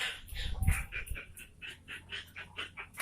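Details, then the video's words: Sooty-headed bulbul, a kutilang, singing: a busy run of short, blurred notes in quick succession, some higher and some lower, over a low rumbling background. "Suara Burung Kutilang Gacor Garuda"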